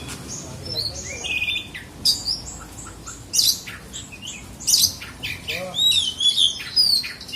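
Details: Oriental magpie-robin in South Aceh, Indonesia, kept for songbird contests: loud, varied song of sharp whistles, buzzy trills and sweeping slurred notes delivered in bursts, with quiet background murmur.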